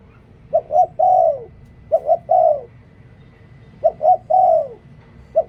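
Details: Decoy spotted dove giving its cooing song: two quick low notes, then a long sustained coo that slides down at the end, three full phrases roughly every one and a half to two seconds, with a steady low hum behind.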